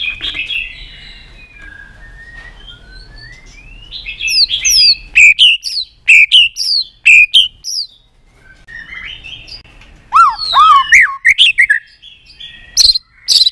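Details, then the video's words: Stimulated white-rumped shama, tail flicking, delivering varied song: soft warbling at first, then loud bursts of sweeping whistles and sharp clicks separated by short pauses. "chòe lửa đập tạch cực sung. kích thích chòe lửa lên lửa. chòe lửa đánh đuôi sàn cầu.kích chòe lửa"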